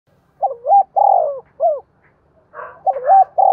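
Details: Spotted dove singing in the giọng đồng voice style, used as a lure to provoke wild doves of the giọng thổ style: husky, rolling coo phrases of several notes, with a soft pause between phrases, in quiet surroundings.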